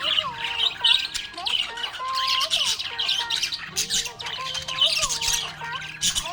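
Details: Happy budgerigars chirping: dense, scratchy high chatter with quick squawks and twittering notes, over a background of wavering tonal sounds resembling music.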